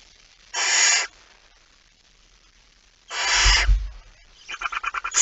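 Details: Barn owl at 23:55 on 17 September 2019 as a male comes in with a mouse: two broad hissing screeches about two and a half seconds apart, low thumping under the second, then a fast rattling series of clicks.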